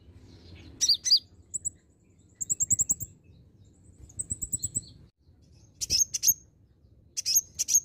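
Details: Green-plumaged olive-backed sunbird singing vigorously as a lure: sharp high chirp pairs, two fast rattling trills of tiny ticking notes, then more piercing doubled chirps near the end.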